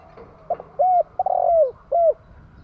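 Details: Captive spotted dove kept as a decoy, calling to stir other doves: two short soft hoots, an arched coo, a long stuttering coo that slides downward, then one last arched coo, mellow and low.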